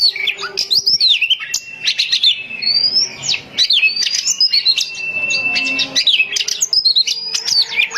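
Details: Home-kept female Oriental magpie-robin singing to draw in males: fast clusters of clicking chips and sweeping whistles, a few sustained clear whistled tones around the middle, then more rapid mixed phrases, with a faint low background hum.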